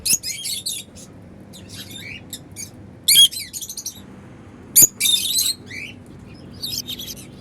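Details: Several African lovebirds flying freely and calling happily; loud, harsh high chirps in irregular clusters, some sharp clicks, and quieter twittering between bursts.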